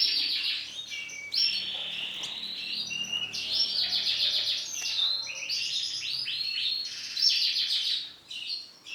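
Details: Yellow female canary giving bright, high chirping phrases: buzzy trilled notes and short whistled slurs, delivered in quick bursts with brief pauses, in a quiet setting.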